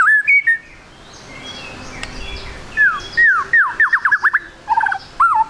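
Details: White-rumped shama song, a juvenile bird, played to make shamas start singing: clear whistles, then a fast run of downslurred whistled notes, ending in sharp looping phrases.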